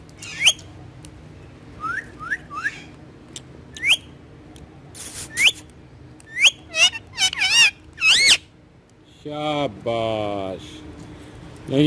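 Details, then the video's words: Pet ringneck green parrot, a talking bird on a wall, mixing scattered rising whistles and sharp squeaks with buzzy, rapidly pulsed mimicked phrases near the end. "Talking Parrot Speaking On Wall In Urdu Hindi"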